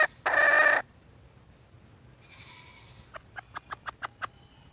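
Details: Red junglefowl hen calling for a mate: one loud, harsh, buzzy squawk, a softer nasal note, then a quick run of six short clucks.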